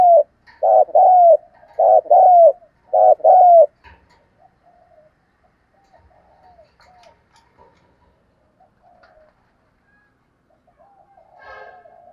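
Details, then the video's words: Spotted dove coos used to lure and rouse other doves: a run of loud, evenly spaced low hooting notes in the first few seconds, then near silence with faint distant sounds and a soft murmur at the end. "tiếng kêu của chim cu gáy âm thanh rất chuẩn để kích bổi/ thúc gù bài bản"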